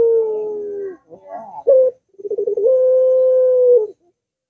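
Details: Barbary dove song, used to set off a silent dove: a gently falling held coo, rough fluttering notes and a clipped accent, then a fast stammer rising into a long steady coo.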